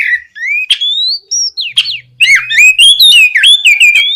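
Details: Lively oriental magpie-robin song used to encourage other magpie-robins to sing: rising whistled notes climbing in pitch, then a rapid tumbling sequence of slurred, warbling whistles with sharp clicks, over a faint low hum.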